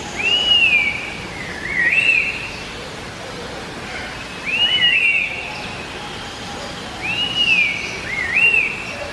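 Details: Laughingthrush of the genus Trochalopteron repeating a rich whistled phrase every three seconds or so: a looping, rising-then-falling slur followed by a shorter upswept note, over steady background hiss.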